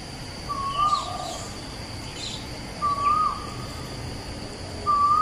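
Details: Asian koel song recorded 14 September 2021 at Bukit Batok East beside the nature park: loud whistled phrases, each sliding upward then ending with a brief flourish, repeated every two seconds or so, with soft calls of other birds in the background.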